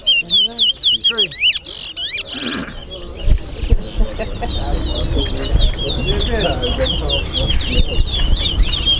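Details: In a Guyanese towa towa bird competition, a chestnut-bellied seed finch delivers fast, high, looping whistles that keep going throughout, while voices and crowd murmur fill the low background.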